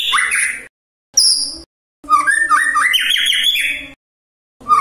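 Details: Short bursts of song from a magpie-robin, aimed at getting rival magpie-robins to respond: rich rising whistles and a rapid chattering warble, separated by pauses, over a low background hum.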